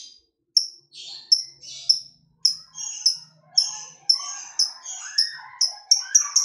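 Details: Lovebird of fighter type, played to provoke other lovebirds to sing: a string of sharp high chirps every half second or so, growing quicker, with softer lower chattering notes beneath toward the end.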